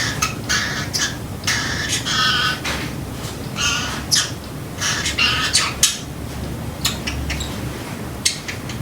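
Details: Pacific parrotlet kept as a pet, copying the sound of a timer: harsh, buzzy, tonal bursts with a few ringing beeps, interspersed with sharp high clicks.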